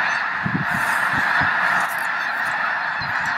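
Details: Snow geese massed at Loess Bluffs National Wildlife Refuge, 21 February 2020. A thick, constant chorus of high nasal honks, punctuated by low rumbling bursts in the first half.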